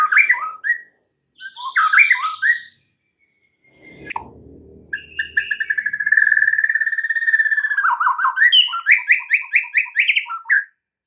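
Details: White-rumped shama singing a filler-rich lure song meant to get other birds to sing: mixed chatters and whistles, a soft rustle, then a long rapid rattle leading into rising, repeated whistled notes.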